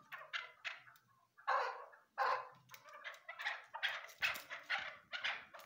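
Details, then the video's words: Female chukar partridge calling: a run of harsh, rasping, clucking notes, some loud and drawn out, others short and quick, coming at uneven intervals of about half a second, with a faint low rumble beneath. "chakor virds voice awaz sound bast female awaz"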